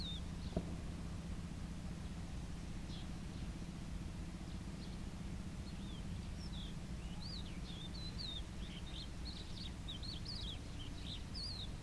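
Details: Common sandpiper (Actitis hypoleucos) gives thin, high, quickly repeated twittering call notes that build into a rapid run in the second half, over a steady low rumble.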